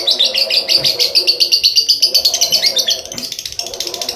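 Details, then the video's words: Long ngekek song from a lovebird, a steady run of rapid, high-pitched chirps about four per second that blur into a rattling trill, with a soft low hum underneath. "Burung lovebird ngekek panjang"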